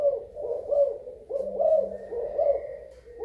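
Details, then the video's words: Spotted dove from Thailand, recorded 24 February 2019: low, mellow cooing in quick bursts of rolling notes, phrases running into one another, with a faint thin tone and low hum behind. "Cu gáy thailan"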